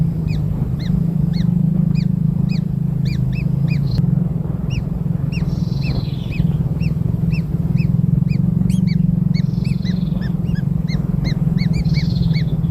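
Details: Newborn kingfisher chicks being fed black insects: many short, sharp, upward-sweeping chirps repeated several times per second in ragged bursts throughout, over a loud steady low hum.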